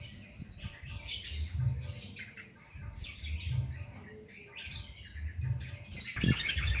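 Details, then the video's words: Cit keres bird singing for use as a songbird training master, without stimulants. Scattered high chirps and buzzy twitters occur in clusters, with low humming noise and a few knocks underneath. "Tanpa Doping Ngalas Tiada Henti/Cabe Cabean/Cit Keres Nembak Buat Masteran"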